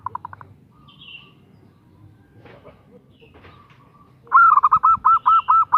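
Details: Calling to attract a male, a female zebra dove gives a few soft quick notes, then after a quiet stretch with faint thin bird chirps, a loud burst of about eight rolling, stuttered coos.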